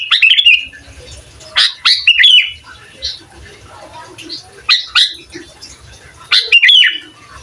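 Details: Sooty-headed bulbul, from a tutor recording meant to agitate rival bulbuls, gives four separate bursts of sharp whistled chirps, spaced by quiet gaps of a second or more.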